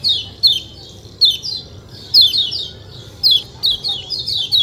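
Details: White-eye, kecial kuning, singing in short separated bursts of sharp descending chirps, each burst a quick cluster of high notes followed by brief quiet, over a low steady hum.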